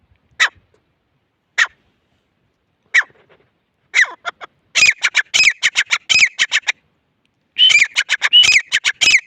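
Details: Grey francolin starting with a few widely spaced sharp single notes, then breaking into a fast, ringing series of harsh clicks and rising whistles that continues to the end with a brief pause in the middle.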